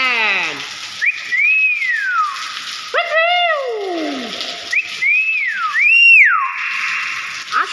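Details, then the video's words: Hill myna singing; loud, clear whistles that rise and then slide down in long arcs, several phrases in a row, with a faint hiss in the background. "VIRAL BEO GACOR SUARA ASLI"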